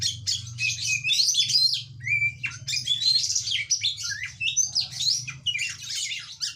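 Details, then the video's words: Oriental magpie-robin in full chattering song: dense bursts of shrill, twisting whistles and scratchy notes, with one short clear whistled phrase near the middle, over a constant low background hum. "Suara Burung Kacer Ngoceh Gacor"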